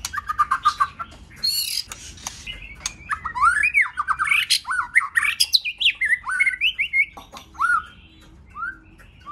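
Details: Varied many-voiced song of a white-rumped shama, used to excite birds and train their singing: quick rich whistles sweeping up and down in tumbling phrases, with a few harsh clicks, dropping to short scattered notes at the end.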